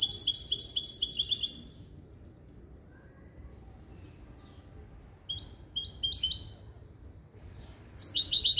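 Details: Hybrid bred from a male goldfinch and a female canary, schooled in clean limpio goldfinch calls, gives a fast high trill, falls quiet, then returns with sharp descending chirps and another bright burst of song.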